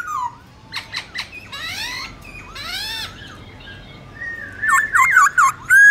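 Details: A black-throated laughingthrush gives its wild-type song, a loud, varied run of slurred rising and falling whistles mixed with harsh squawky notes and quick rippling phrases, with little else heard.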